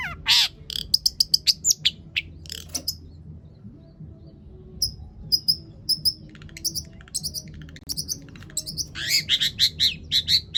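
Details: Mimicry-rich long-tailed shrike song used as a lure to get other shrikes going: a rasping start and rapid ticks, a quiet gap, thin high notes, then a renewed burst of chattering phrases.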